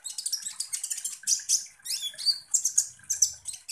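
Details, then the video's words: Energetic sunbird twittering used as a lure for konin birds: a rapid stream of very high, buzzy chirps and trills with a few clear piercing whistles. "KONIN Langsung EMOSI dan NGOBRA dengan PANCINGAN kolibri ninja GACOR ini"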